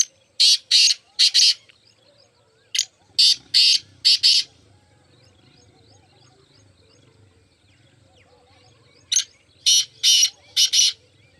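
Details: Two full phrases from a black francolin (mushki teetar), each a run of short harsh rasping notes in rapid pairs, separated by several seconds of quiet with a soft low rumble in the background.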